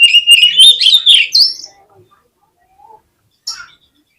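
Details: Oriental magpie-robin song used as a lure to spur other magpie-robins into full song: a loud, rich run of rising and falling whistles with quick buzzy notes, then a pause and a short scratchy burst near the end.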